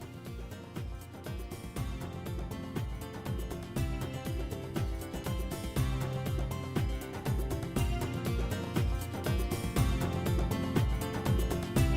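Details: Steady, beat-driven instrumental music fills the whole stretch, with no animal calls.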